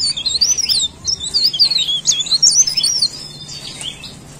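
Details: Rapid, thin, swirling whistles from a cikrak daun leaf warbler singing vigorously, notes rising and falling in quick succession for about three seconds before fading, with a low steady hum behind.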